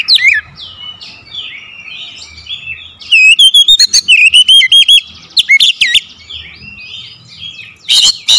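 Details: Singing oriental magpie-robin used as a lure: opens with soft, buzzy twitters, then a loud burst of wavering whistles around the middle, a sharp rising note, and a brief loud flourish near the end.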